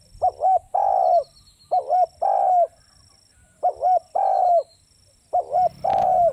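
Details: Spotted dove repeating its call four times, each a quick wavering double note then a long full coo dropping slightly, with a soft knock near the end.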